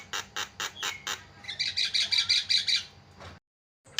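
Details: Javan myna song meant to get mynas singing quickly: a run of evenly repeated harsh chacks, then a dense buzzy rattling phrase, a brief silence and a fresh note at the end.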